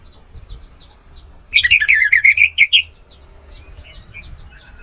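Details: Orange-headed thrush song used as a tutor recording for songbirds that have stopped singing: a burst of about ten rapid, clear, slurred notes around the middle, with faint softer chirps before and after.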